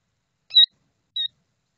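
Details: Killdeer, an adult tending her hatchlings, gives two short, sharp, high notes about half a second apart, each clean and piercing with a fainter lower tone beneath; quiet otherwise.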